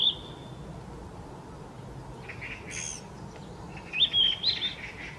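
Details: Yellow-rumped flycatcher, a summer visitor, singing in early May in Gyeonggi Province, South Korea: a short whistled phrase at the start, then after a pause a brief rising, warbled whistled phrase near the end, with faint other bird chatter between.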